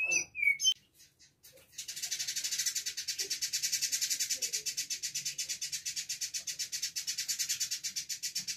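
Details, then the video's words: Village indigobird (Vidua chalybeata), a tutor recording of dense, rapid song in daily form, 14 October 2022: a few sharp whistled chirps, then a long, dense, buzzy rattle of rapid high pulses running steadily for several seconds. "Burung Indigo gacor"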